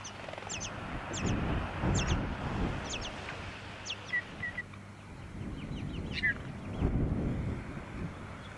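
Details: Tawny-crowned honeyeater in Victoria, Australia, September 2017: sharp, thin notes falling steeply in pitch, given in quick pairs and loose clusters, plus a few short level whistles, over a steady low rumble of wind or distant traffic.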